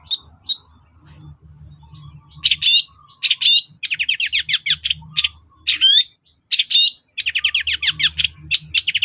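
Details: Long-tailed shrike in full song, played to prompt other shrikes to sing: rapid chattering runs of sharp chirps and bright whistled upslurs in fast sequences over a low background hum.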